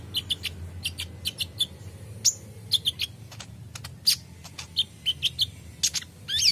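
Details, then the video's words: Purple-throated sunbird kept in captivity, reacting to another singing bird: a run of quick, thin, high-pitched chirps, some doubled, delivered unevenly with short gaps, and a brief squeaky flourish near the end. "Konin bahan langsung respon bunyi dengar konin gacor ini"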